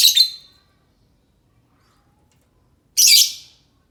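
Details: Lure call of a lovebird for drawing replies from others of its kind: two shrill, grating shrieks about three seconds apart, the second strong and buzzy, with near silence between them.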